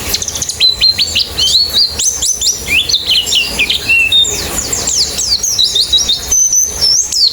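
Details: White-eyes singing in a therapy track meant to prompt open-beaked singing: a dense, continuous twitter of high rising and falling notes, many voices overlapping, with a steady whistled note near the end.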